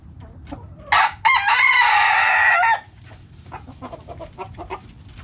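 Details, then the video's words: Backyard chickens: a few soft clucks, then a rooster's loud rasping crow of about a second and a half, followed by a quick string of hen clucks. "Hens Clucking Roosters Crowing!"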